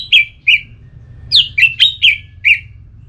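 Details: Orange-headed thrush in ngeplong singing style, played to make a listless bird answer and sing: seven clear whistled notes, each sliding down and settling into a brief warble, given in two quick bursts.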